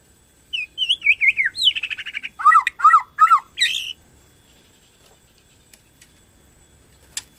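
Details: Bornean white-rumped shama in strong song meant to set off other shamas: wavering whistles, a buzzy trill, three harsh dipping notes, then near silence with a faint click.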